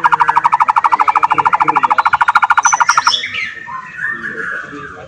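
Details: White-rumped shama song aimed at provoking rival shamas to respond: a rapid, very even rattling series of notes about ten per second for three seconds, then softer warbled phrases.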